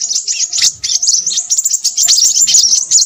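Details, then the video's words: A sustained, unbroken run of shrill, high twittering notes from a Crimson sunbird, fast and jumbled, with a few sharper squeaks toward the end. "burung sepahraja ribut"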